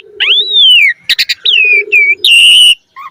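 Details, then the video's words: Black-collared starling song played to train other starlings: long clear falling whistles, a short harsh chatter, then a level ringing whistle, all loud and clean. "Jalak Suren Gacor Mompa Isian - Pancingan Jalak Suren Agar Burung Jalak Cepat Gacor Isian Mewah"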